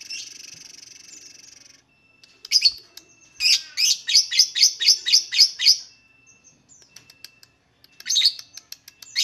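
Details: Lovebird song used to coax lovebirds into singing: a buzzy opening note, then a quick run of about ten sharp squeaky chirps in two seconds, a pause, and more scratchy chirps near the end.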